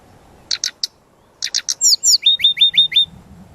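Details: Brown-chested jungle flycatcher singing a lively, full-varied master song used for training birds: paired high buzzy notes, then bright downslurred whistles, followed by a rapid series of five ringing upslurred whistles.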